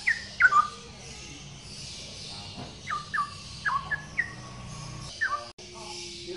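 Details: Male straw-headed bulbul singing: scattered clear, short whistled notes, some sliding downward, delivered in small groups over steady background hiss and low rumble.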